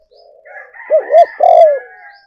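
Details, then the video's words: Spotted dove lure call: a soft murmuring lead-in, then two rounded arched coos and a long, strong, slightly falling final coo, with a faint higher warbling sound behind. "cu gay moi chuan"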